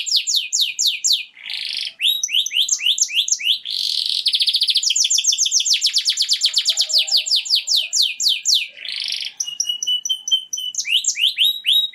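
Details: Canary song meant to get females ready for mating, a long unbroken run of high sweeping notes, buzzy rolls and a very fast even trill in the middle, ending in bright repeated chirps.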